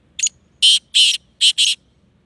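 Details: Sindhi black francolin calling: one short high note, then four loud, harsh, grating buzzy notes in two pairs, each about a fifth of a second long, over near silence.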